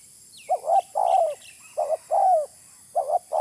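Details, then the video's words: Spotted dove lure call: two-part phrases of a short low coo followed by a longer descending purred coo, repeated about every second and a half, with faint thin whistles of small birds and a constant high hiss. "Suara pikat terkukur original"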